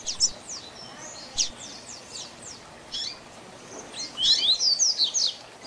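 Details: Double-collared seedeater in the Tui Tui Zel Zel song style, meant for training young birds. Sparse sharp downslurred notes give way to a loud closing run of about six quick ringing whistles.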